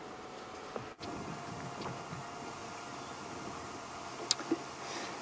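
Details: Quiet hum with a steady tone, a brief dropout near one second, and a few sharp ticks later on.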